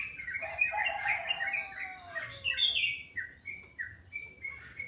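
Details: Birds singing sweetly in the morning: a jumble of varied chirps and warbled notes, then a series of short whistled notes repeated at steady intervals toward the end, in quiet surroundings.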